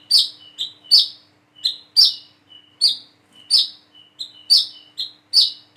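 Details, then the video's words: Plain-throated sunbird (wiceh) learning to sing: irregular series of high sharp chirps, some paired, mixed with thin level whistles between notes. "PANCINGAN SUARA BURUNG WICEH KOLIBRI KELAPA BIAR BISA WICEH WICEH"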